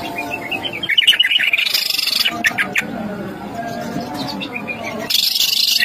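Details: Greater green leafbird; song; lure song to provoke other leafbirds into singing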